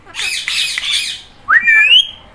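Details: Indian ringneck parrot, green, with a raspy squawking burst followed by a rising, whistled, drawn-out meow-like note.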